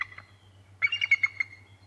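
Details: Bald eagle calling at the Decorah North nest during a chase with a sub-adult, 8 December 2017 near 2:21 pm: a faint opening note, then a rapid run of high, thin, piping chirps that fade off, over a low steady hum.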